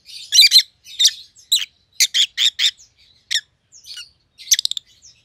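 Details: Two white-headed opaline rosy-faced lovebirds, pallid and green, give loud rapid chirps in short series, a run of four evenly spaced sharp notes around two seconds, then a stuttering burst near the end.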